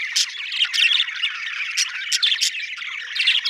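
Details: Budgerigar chatter, with buzzy, wavering warbles broken by sudden sharp squeaky chirps every half second or so.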